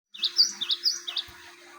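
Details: Java sparrow song used as a training lure: a short string of high, thin chirps rising and falling, about five notes in just over a second, over a steady low hum.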